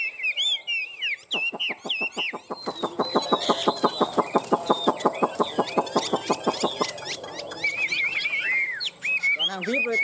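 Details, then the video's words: Chinese hwamei from a tame caged pair, singing its fighting song: opening whistled, wavering phrases, then a long burst of rapid, evenly repeated sharp notes for about five seconds, ending with more looping whistles. "Chim họa mi hót đấu"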